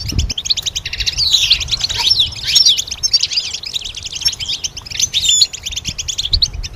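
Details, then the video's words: Goldfinch singing for songbird training: a dense, fast stream of tinkling, twittering and buzzy high notes with bright slurred whistles, running almost without pause, after a short low thump at the start. "Goldfinch: How to raise it and train it to sing with strong stimulation"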